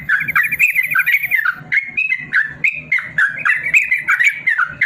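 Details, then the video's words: Yellow-vented bulbul giving a long rapid 'ropel panjang' song, used as a tutor for lazy caged birds: bubbly, chattering phrases of quick slurred notes, an opening trilled run, and a low steady hum underneath. "BURUNG TRUCUKAN ROPEL PANJANG"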